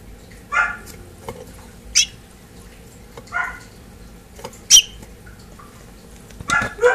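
A house finch gives short, bright chirped notes at uneven intervals, some sharper and higher, over a faint steady background hum.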